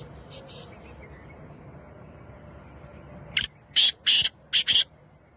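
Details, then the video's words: Black francolin (kala teetar) of the Lakka strain calling: after a quiet stretch with faint background hiss, five harsh, grating broadband bursts come in a quick, slightly uneven series lasting about a second and a half. "Kala Teetar ki Awaz"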